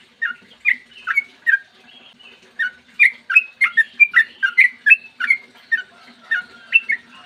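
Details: Long-running 'ropel panjang' song from a Sooty-headed bulbul, recorded in the morning to coax other bulbuls into singing; several scattered fluty notes speed up into a dense rollicking series of chuckling whistles, then thin out again.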